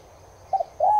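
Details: Streptopelia chinensis tigrina, the spotted dove, cooing for playback to caged doves: a quick doubled soft note followed by the start of a long, even, mellow coo.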